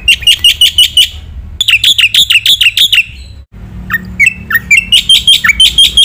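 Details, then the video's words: Black-winged myna masteran song, vigorous and rich in fill-ins: quick series of sharp whistled notes in two bursts, a pause, then mixed rising and dipping whistles and chirps. "masteran jalak putih gacor full isian sekali dengar semua burung jalak terpancing emosi"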